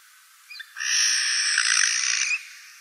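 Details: Eurasian jay recorded in the Wittlich valley in 2018, giving one long, harsh, grating rasp lasting well over a second after a faint short note.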